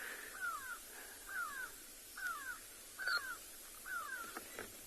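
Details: Alarm calls of a Grey Go-away-bird scolding a female leopard as she passes through thicket in late afternoon, South Africa; five drawn-out, descending nasal notes roughly once a second, with light rustling and a brief higher chirp.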